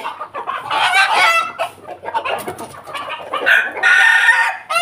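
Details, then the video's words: Pelung Bangkok rooster giving loud morning crowing in the laughing ketawa style: two long, harmonic-rich drawn-out crows separated by a quieter stretch of rough, broken notes. "pagi hari ayam pelung Bangkok ketawa berkokok lantang"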